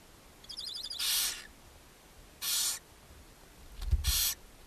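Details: Nest box at Ságvár, Hungary, on May 4, 2024, where a female barn owl feeds seven owlets; three long, loud, rough hisses spaced about a second apart, with a soft knock between them.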